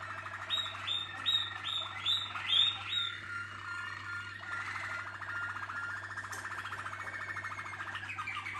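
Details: Team of Waterslager canaries singing: a run of short, evenly spaced bell-like notes, then a long, steady rolling trill holding one pitch with a fainter higher trill above.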